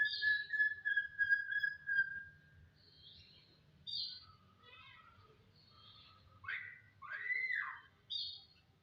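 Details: Starling (jalak) song opening with a sustained pure whistle, then short buzzy notes, quick chatter and loud downward-slurred whistles near the end, over a faint low hum.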